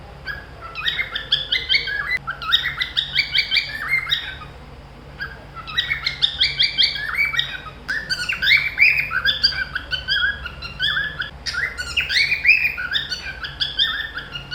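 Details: Two pet cockatiels playing, chattering in bursts of bright, warbling chirps and short rising whistles.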